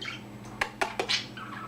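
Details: Young male pet budgerigar chattering in a small room: three quick dry clicks followed by a short buzzy warbled chirp.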